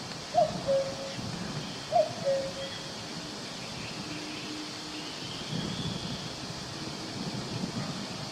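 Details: Woodland cuckoo: two falling two-note calls in the first two seconds, then the forest goes quiet apart from soft rustling and faint distant hums.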